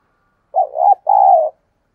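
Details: Spotted dove kept as a decoy to attract wild doves, giving one two-part coo: a short wavering low note gliding upward, a brief gap, then a longer steady hollow coo that slightly falls at the end.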